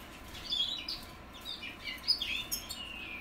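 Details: Young goldfinch mules, goldfinch hybrids from 2021, practising their song: high twittering chirps and short warbled phrases in loose bursts, with quiet background hiss.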